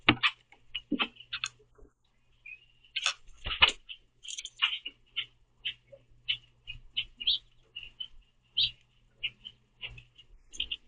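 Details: Several common grackles squabbling over the last sunflower seeds at a backyard feeder, hopping on and off and chasing each other; sharp high chirps and harsh clicks come in irregular bursts with a faint low hum beneath.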